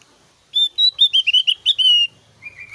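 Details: Javan grey-throated white-eye in vigorous song: a rapid series of loud, pure whistled notes, some clipped, some drawn-out and slurred, strung together for about one and a half seconds, then a softer trailing whistle.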